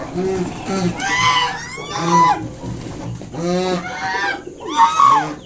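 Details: Mother swan protecting five freshly hatched cygnets from a person coming near: quick pairs of short honks followed by longer, strained, trumpeting calls, spaced about a second apart.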